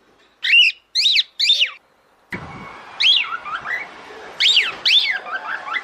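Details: Three clean, arched whistles from a female cockatiel calling the male to mate, then a sharp knock and rustling background beneath softer, more scattered whistled notes.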